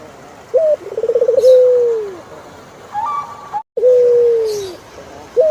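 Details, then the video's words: Turtle dove cooing: a short hooked note, a rapid rolling pulsed trill, then a long, steady, slowly falling coo, repeated twice. A thin, higher tonal whistle from another bird sounds briefly between phrases. "Sound of Turtlefove"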